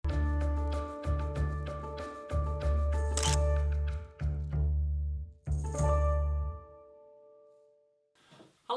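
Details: Chiming instrumental music over a deep, pulsing bass fades away, then a brief snatch of a voice; no animal calls.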